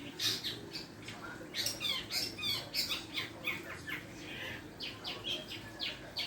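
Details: A long-tailed shrike practising its song gives rapid, scratchy chattering notes and short squeaky sweeps in loose, irregular bursts, with brief pauses between phrases.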